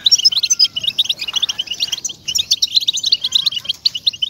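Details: European goldfinch song used to get caged goldfinches singing: quick sparkling twitter of chirps and trills, very high, dipping into a short lull around two seconds before resuming energetically.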